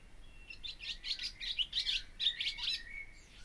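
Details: Barn swallow song with a rapid series of scratchy, rattling twitter notes, about three per second, building to a dense chattering burst before fading.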